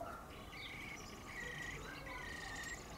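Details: Two young Eurasian blackbirds from an early brood crash and walk out of the nest as they fledge. Three rasping, buzzy calls follow one another closely over three seconds, with a steady background hum and distant bird chirps.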